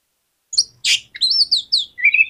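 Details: Oriental magpie-robin song used to prompt a lazy bird to answer and respond: a harsh burst followed by clear whistled notes, falling then rising in pitch.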